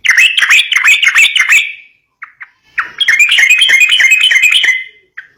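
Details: Yellow-vented bulbul singing to stimulate young birds. Two long phrases of dense, chattering, liquid notes separated by a brief gap holding a couple of soft single notes.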